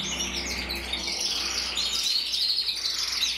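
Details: Short burst of bright, fast trilling from a red-black intensive canary cock of 2024, mosaic split, with a faint low hum beneath.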